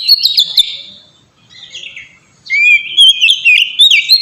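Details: Melodious oriental magpie-robin song used as a master recording; a high whistled phrase fades into a near-silent pause, then a clear upslurred whistle launches a run of varied warbled notes.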